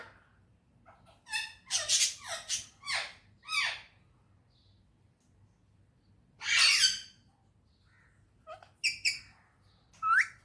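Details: Pet parrot described as a talking bird speaking Urdu and Hindi, in a happy mood; bursts of harsh squawks and rising, slurred vocal notes come in clusters separated by quiet pauses.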